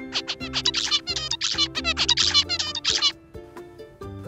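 Zebra finch song: about three seconds of rapid, nasal, buzzy notes repeated in a quick, simple pattern, over a soft background of low sustained music.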